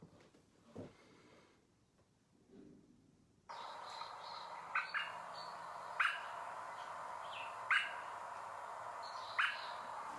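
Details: American robin in a backyard gives its 'tut' alarm call, short, sharp notes about every one and a half seconds after a quiet opening, over a steady hiss; it warns that something is wrong, such as a predator or intruding bird.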